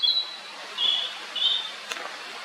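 Blue-and-white flycatcher giving three thin, high whistled notes spaced under a second apart, followed by a single sharp click, over faint background hiss.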